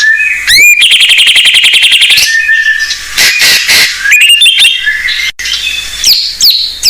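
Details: Singing blorok white-rumped shama, with fill-in phrases meant to prompt young untrained shamas. Opens with an upswept whistle and a fast rattling trill, then harsh buzzy bursts, clicks and looping high whistles.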